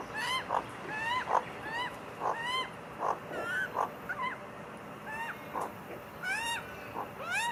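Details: Magpie family sharing food; a steady run of rising, whiny nasal calls from several birds, roughly two each second, mixed with short soft chucks.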